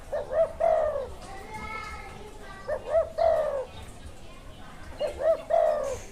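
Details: Spotted dove in the wild giving three cooing phrases, each a pair of quick upslurred notes followed by a longer mellow coo that trails downward, with faint distant background noise.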